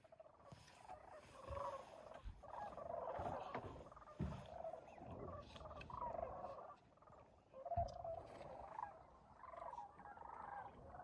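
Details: Sandhill cranes calling close to shore at sunrise at Bosque del Apache National Wildlife Refuge, New Mexico, in December 2021, about 19 degrees F. Overlapping rolling, trumpeting calls from several birds rise and fall in bursts, with a low background murmur.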